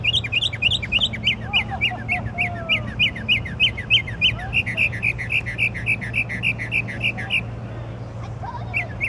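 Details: Nameless songbird heard singing late at night with an impressive repertoire: a long, even series of bright whistled notes repeated about three per second for several seconds, with fainter softer slurred notes beneath and a steady low hum.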